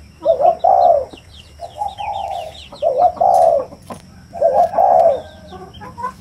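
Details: Spotted dove cooing in low, mellow phrases, each a short note followed by a longer hooting coo, repeated about three times over six seconds, with thin high chirps and twitters of other small birds behind.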